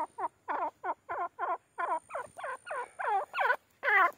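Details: Grey francolin, known locally as teetar, giving a steady series of rasping, layered notes that arch down and up, roughly three per second, growing louder toward the end. A faint high hum runs behind.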